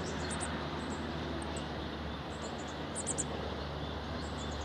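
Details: Meadow buntings, an adult male with fledglings, filmed in June 2018 on sunny and cloudy days, give thin, very high tsip notes, singly and in quick clusters of two or three, over a steady low rumble.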